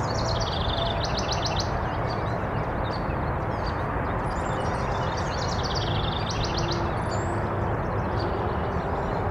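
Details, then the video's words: A House wren singing between bouts of preening gives several quick, bubbling, high trilled phrases, one every second or two, over a steady low roar of traffic or wind. "House Wren singing"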